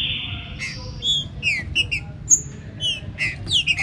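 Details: Green-winged saltator song, played to warm up and open other birds' singing: a quick run of varied high chirps, clear whistles and buzzy slurred notes, with a soft steady hiss of rain beneath.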